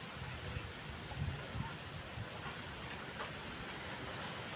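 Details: Continuous rushing noise with low rumbling thumps, resembling a passing train or running water, and no animal calls.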